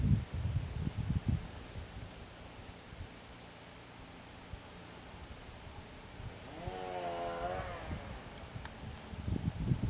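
Long-tailed shrike giving a single nasal, wavering call lasting about a second, with low rumbling wind or handling noise before and after and one faint high chirp.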